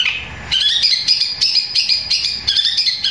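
A long-tailed shrike pours out a loud, continuous, high chattering song of rapid scratchy notes and sharp squeaks, barely pausing for three seconds.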